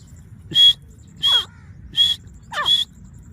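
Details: Grey francolin (teeter) calling at Layyah, Punjab: four loud, ringing, buzzy notes, each with a whistled tone inside, given at roughly even spacing of about seven tenths of a second. Fainter descending chirps from another bird slip between them.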